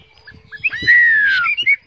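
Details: Caged Chinese hwamei singing: a long clear whistle sliding slowly downward, framed by short bright notes before and after, with faint low rumbling in the background.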